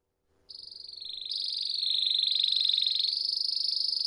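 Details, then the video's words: Belgian canary (Reino Belga) in campainha (bell) song style: a sustained, high, ringing trill, rapidly pulsed and shifting slightly in pitch, with no break for over three seconds. "Canário do Reino Belga Canto Campainha"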